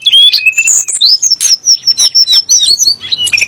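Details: Sunda blue robin (tledek gunung) song, used to rile magpie-robins (kacer) and muri birds into singing. Rapid high whistles with sliding, rising and falling notes and scratchy bursts, closely packed.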